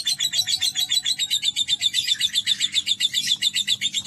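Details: Caged lovebird singing ngekek, its long chattering trill, after spray-bath and sunning therapy: fast, evenly throbbing high twittering pulses, about four per second, sustained throughout over a soft background hum.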